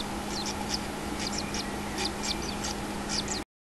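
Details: Common kingfisher nest with a one-day-old chick, 6 July 2016; a quick series of short, high, squeaky chirps over a constant low hum, ending in a brief silence.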